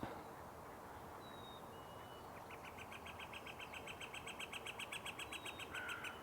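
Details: Northern flicker at Sechelt Marsh on a busy morning, 11 May, giving its distinctive call to announce itself: a fast, even series of loud, ringing kek-kek-kek notes, about six a second, over steady hiss and faint thin whistles from other birds.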